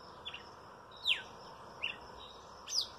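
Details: Red-cowled cardinal singing: three separate clear whistled notes, each sweeping steeply in pitch, spaced about three quarters of a second apart, over a steady low background hum.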